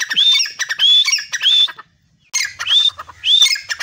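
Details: A grey francolin perched beside a tube well in a garden calls: loud, harsh, squawking phrases, each ending in a ringing upslurred note, three in quick succession, then a brief pause and three more.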